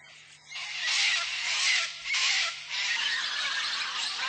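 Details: Wild Sulphur-crested Cockatoos foraging and feeding in Australia give harsh, raucous screeches in long grating bursts, blurring into a near-continuous rasping din.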